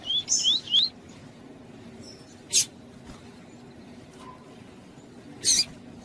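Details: A captive female lined seedeater, calling to stimulate male seedeaters, gives three quick, high, upslurred chip notes, then falls quiet; two sharp taps or rattles follow later.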